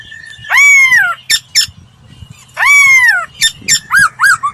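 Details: Laughingthrush training song: two long, loud, ringing whistles that arch up and slide downward, each followed by short sharp notes. The series ends with a quick run of bouncy, looping whistles.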